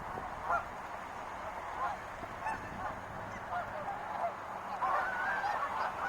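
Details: Wild geese calling in a noisy chorus, many overlapping nasal honks in the mid range, irregular and continuous, with low rumbling background noise throughout.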